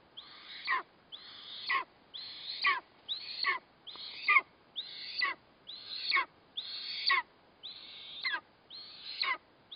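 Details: At an eastern imperial eagle nest where a chick is fed a kite as prey, 4 August 2024, harsh, hoarse calls sound roughly one a second, each a rasping note that trails downward.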